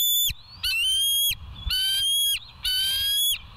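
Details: Bald eagles at West End on a live cam, early morning of 25 July 2023 at 05:10. Loud, harmonic-rich whistled calls in three long bursts, each ending in a quick downward slur, separated by brief pauses.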